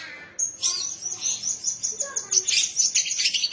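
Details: Young songbird judged ready for singing-competition sessions, delivering a fast, high, dense stream of chattering notes and sharp whistles after a short quiet start, with bursts of varied phrases and no pauses.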